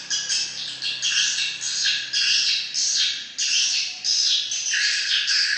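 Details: A flock of swiftlets gives rapid, shrill chattering calls, the chorus swelling in rhythmic surges about every half second over a faint low hum.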